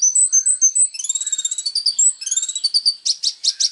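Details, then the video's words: Varied high sunbird (kolibri ninja) song for songbird training: clear whistled notes at the start, then rapid trilled runs with rising and falling slurs, ending in a series of loud staccato chips. "SUARA BURUNG KOLIBRI NINJA GACOR FULL TONJOLAN MATERI MEWAH"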